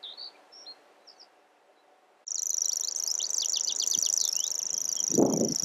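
A grasshopper warbler's high, dry reeling trill runs on steadily like a cricket, after a few faint chirps; a brief low thump sounds near the end.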